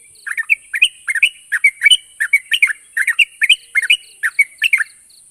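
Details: Yellow-vented bulbul song used to prompt silent birds to answer: short bubbly chirping phrases around mid-high pitch, repeated rapidly in quick bursts, with a steady high hiss in the background.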